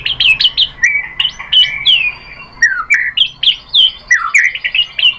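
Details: Lure recording of white-rumped shama song meant to provoke a reply: quick, clear whistled notes, many sharply down-slurred, delivered in rapid bursts with brief pauses between phrases.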